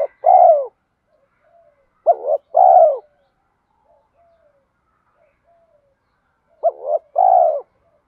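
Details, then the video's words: Spotted dove coo, thổ mixed with thúc style, for training decoy birds. Three clear low phrases, each a short double note and a longer descending coo. Quiet faint notes sound in the gaps. "Tiếng chim cu gáy giọng thổ pha thúc đấu vấy bổi, dùng tập bổi và tập mồi gáy theo cả ngày"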